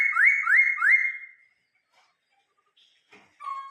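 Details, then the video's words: Vietnamese caged laughingthrush gives three quick, loud upswept whistles in a regular series, then silence with faint ticks and a short lower whistle at the end. "chim khướu hót"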